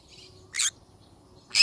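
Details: Two brief rasping shrieks from a yellow-sided conure parrot, spaced about one second apart, over quiet low background hum.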